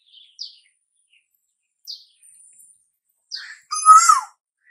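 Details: Asian koel heralding summer: one loud rising whistled note with a falling end closes the recording, after several brief high chirps from another bird.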